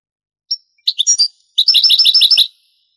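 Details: European goldfinch, Granada-style song from a vintage Spanish cassette of the 1980s–90s: one short high note, a few loose twitters, a pause, then a quick burst of evenly repeated tinkling trilled notes.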